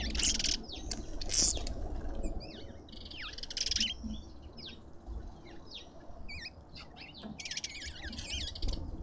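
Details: Restless chatter of lovebirds at a Pretoria garden feeder in South Africa: two harsh screechy bursts early, then scattered thin squeaks and sharp chips trailing on, somewhat distant.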